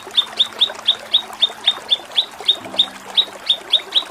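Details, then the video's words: Kinoi training recording, ngepik style: sharp high chip notes repeated evenly about four times a second throughout, with a faint low tone in the background. "Masteran Mewah KINOI || Ngepik Kapas Tembak || Nembak Cililin"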